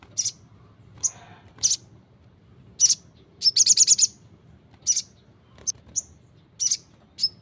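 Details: Vigorous song of a brown-throated sunbird: thin, high-pitched chirps spaced unevenly, broken by one quick rattling trill of about six notes near the middle, against a quiet low background hum.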